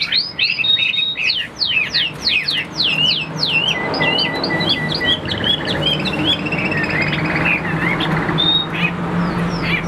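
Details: Chinese hwamei giving a burst of sharp, zigzag whistles followed by softer, lingering notes and scattered higher phrases, with some low background rumble.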